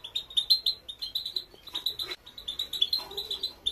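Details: Female European goldfinch singing a motivational training song: fast, bright twittering phrases of clipped high notes, briefly broken by a rougher, broader burst before the chatter resumes.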